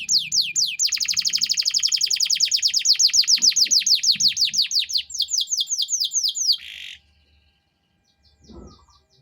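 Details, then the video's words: High, fast rolling trill from a lively singing canary in 'cengkok mewah' style, recorded as master song for young songbirds: rapid repeated downslurred notes sustained for about six seconds, ending in a short buzzy note, then near silence and a faint soft burst. "MASTERAN KENARI GACOR || Cengkok Mewah"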